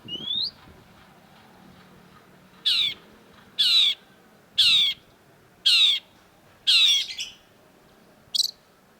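A Long-tailed Shrike gives six harsh, rasping notes, roughly one per second, after a brief rising whistle; the setting is otherwise quiet.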